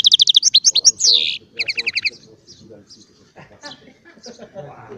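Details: Small Baster hybrid singing goldfinch-type song: a fast burst of evenly repeated high chirps, a buzzy slurred note, then a short series of twittering notes before the singing fades to faint background sounds.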